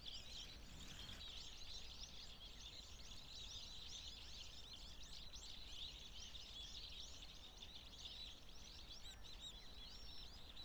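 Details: Mixed flock of Bohemian and Japanese waxwings gathered at discarded apples in Shinshu, Japan, early April; many high, thin trills overlap throughout without pause, with a constant low-pitched background rumble.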